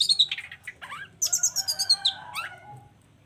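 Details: Long-tailed shrike in full song, meant to rouse silent shrikes into answering: a fast run of sharp high chirps, a pause, then a bright series of evenly spaced whistled notes sliding downward, fading out at the end.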